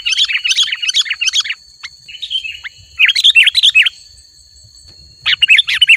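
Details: Energetic Sooty-headed bulbul song played to attract wild bulbuls: bursts of rapid, jumbled, chattering and twittering notes lasting about a second each, separated by short pauses and a few quieter buzzy notes, over a steady faint high-pitched tone.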